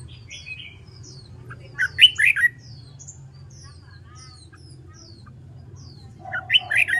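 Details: Red-whiskered bulbul trained to sing its contest song. A rich phrase of three to four bold slurred whistles, then several seconds of thin, high background chirps from other birds, before another warbled phrase closes.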